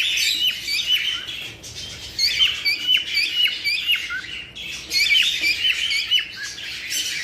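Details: Cockatiels chattering together in a mating-stimulation recording, a dense layer of shrill chirps and squawks, dipping briefly before a loud burst near the end.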